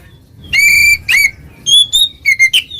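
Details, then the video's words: Oriental magpie-robin singing ngeplong to call a rival: a long pure level whistle, a slurred note, then several clear whistles at different pitches. "suara burung Kacer NGEPLONG memanggil lawan, lawan EMOSI seketika"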